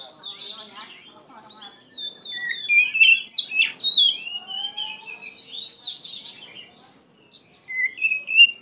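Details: Oriental magpie-robin in full emotional gacor song, a long tumbling run of varied whistles, sweeping slurs and sharp chips, quieter at the start, then a brief lull and a final whistle.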